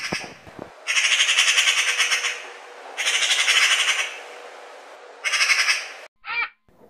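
A magpie gives three bursts of harsh, rattling chatter, each one to two seconds long, then a brief squeaky note. No other sounds are heard.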